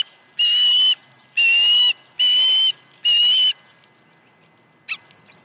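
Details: Osprey calling at its nest at Dunrovin Ranch on 21 August 2019, a morning with fish deliveries at 7:05 and 7:31 AM. Four strong, piercing whistled notes in steady succession, then a pause and a brief faint chip.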